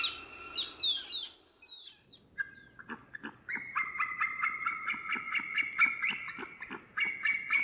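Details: White-tailed eagle calling: a few mixed high notes open, then a steady run of loud, harmonic, yelping notes about four per second, level and ringing, with short gaps and faint background hiss.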